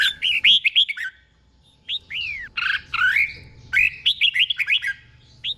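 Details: Red-whiskered bulbul doubled 'beun' song from Thailand, slow and clear for training caged birds: bright whistled phrases of quick up-down notes, a longer swooping slur in the middle, repeated after pauses.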